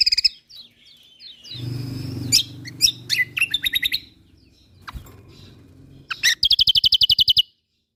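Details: Lombok white-eye, locally kecial kombok, in a songbird training recording: varied sharp high notes and chatter over a low rumbling background, closing with a fast, even trill of about fifteen bright chips.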